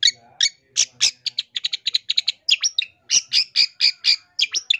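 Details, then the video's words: Lively long-tailed shrike masteran, rich in varied filler phrases, for lure use: quick, evenly spaced high chips run in rhythmic series, then fuller scratchy notes repeated several times in succession. "MASTERAN CENDET GACOR FULL ISIAN ISTIMEWA COCOK BUAT PIKAT BUNYI MASTERAN TERAMPUH"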